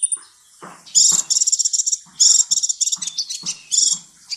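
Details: Sunbird on a training recording for cage birds: high, buzzy, rattling trills in repeated bursts, with faint low knocks between phrases.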